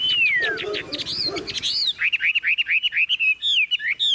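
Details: Tame caged Chinese hwamei singing: a long falling whistle, rising swoops, then a fast even series of short bright looping whistles.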